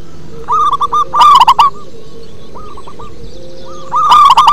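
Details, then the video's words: Deep-voiced local zebra dove song: soft hooked coos lead into a loud, harmonically rich burst, then a few scattered quiet notes before another strong burst, all held near the same low-middle pitch against faint hiss. "Perkutut lokal manggung ngebas"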